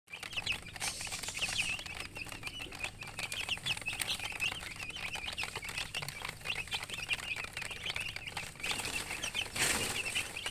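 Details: Chicken chicks chirping together: dense, high, short peeping notes overlapping continuously, with steady background rustle and scattered clicks throughout.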